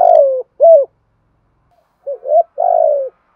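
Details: Cooing of a spotted dove, played to encourage caged birds to coo: a drawn-out coo sliding downward, a short hoot, a pause, then two brief clipped notes and another long falling coo.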